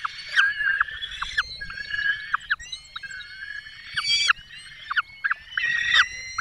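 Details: Peregrine falcons nesting in the Barycz Valley, Poland, 5 May 2022, the male bringing a small bird and the female feeding chicks: intermittent whining harmonic calls in several bursts, with quieter gaps between.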